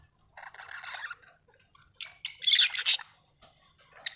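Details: Australian budgies chirping: a soft murmured warble, then a louder burst of rapid, harsh, buzzy chatter about a second long, ending with one sharp chirp.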